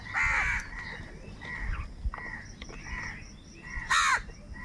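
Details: Crows squabbling over food. A long hoarse caw opens the sequence, fainter cawing follows, and a sudden loud, grating cry comes near the end.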